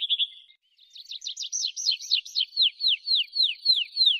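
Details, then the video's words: A rock pipit (Anthus petrosus) sings a fast series of thin, high notes, starting with buzzy trills and ending in repeated descending slurred notes about four per second. "CANTO DELLO SPIONCELLO Canto de pipit"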